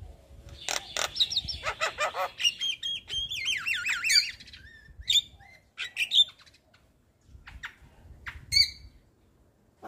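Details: Javan pied starling singing in a long, varied outpouring: harsh squawks, sharp chirps and a run of rapid rising-falling warbled notes around the middle, loud bursts separated by brief pauses.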